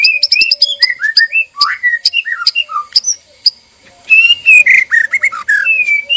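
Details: Male and female white-rumped shama in a breeding cage, arousal calling before mating: varied loud whistled phrases, rising and falling slurs and sharp chirps, a short pause, then a fast burst of bright whistles.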